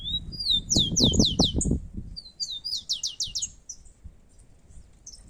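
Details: Rufous-collared sparrows, two birds competing outdoors in nature: a rapid run of bright, downslurred whistled notes sweeping high to lower, about eight in quick succession, then a second similar series after a short pause, over low background rumble.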